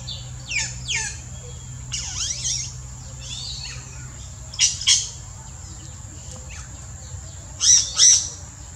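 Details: Yellow-rumped cacique in the Brazilian Amazon: a varied run of squawky, sweeping notes and slurred whistles, then loud paired bursts near five and eight seconds, over a steady high insect-like whine and low background rumble.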